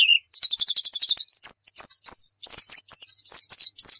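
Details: Pacitan dakun white-eye in lively full song used for tutoring: a fast buzzy trill of about fifteen notes, then a string of thin upslurred whistles and rapid descending chirps.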